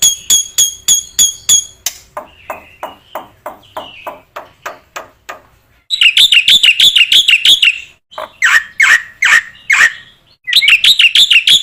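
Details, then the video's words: Black-winged myna singing as training material: crisp clicking notes in quick series, softer ticking, then loud bursts of wavering, squealing, chattering phrases broken by brief silences. "MASTERAN BURUNG JALAK PUTIH GACOR"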